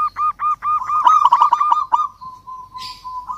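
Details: Local zebra dove calling a rival: a series of short, evenly spaced coos speeds into a dense, burry trill, then trails into a long, soft, steady hum-like coo.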